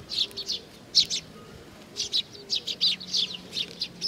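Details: Flock of sparrows coming to be fed at Tenmangu, Nakanoshima, 7 June 2020, chirping rapidly and overlapping in clusters, notes bright and high, with constant low background noise.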